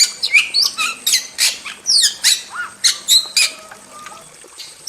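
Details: Wild starling singing a rapid string of high chirps, down-slurred whistles and scratchy notes for about four seconds, then trailing off into a faint, quieter passage.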